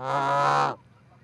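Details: Canada goose, one of two visiting an osprey nest in Charlo, Montana, 4-7-18, on a livecam: a single loud, rich honk held for under a second, then quiet.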